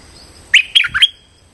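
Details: Streak-eared bulbul lure call for trapping: three loud, bright chirps, the last trailing into a brief level whistle, with a faint steady high tone in the background.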